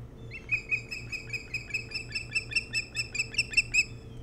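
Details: Osprey at the nest on Hog Island near Bremen, Maine, captured by nest cam in the early hours of 07-03-2018. A long, steady series of about eighteen sharp whistled cheeps, evenly spaced and growing louder, over low hum.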